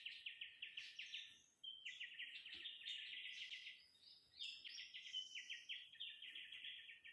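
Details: Wild bird song at Nam Nao National Park: rapid, dense trills of repeated chirping notes at high pitch, pouring almost continuously for seven seconds with brief pauses.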